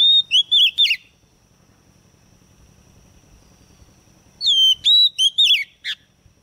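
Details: Female white-rumped shama used as a lure to spur males to sing: a few clear whistled notes with wavering slurs, a long pause, then another set of sliding whistles ending in a sharp buzzy note.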